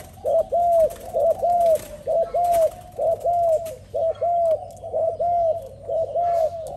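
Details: Spotted dove, described as a new and fierce bird, cooing steadily. Low two-part phrases are each bowed in pitch and repeated about once a second in an even rhythm, over a faint background hum.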